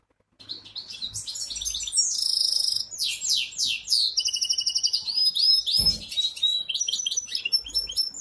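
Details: High-pitched goldfinch hybrid song from Ankara: a busy stream of twitters, a harsh buzzy note, rapid trills and bright whistled slurs delivered without a break.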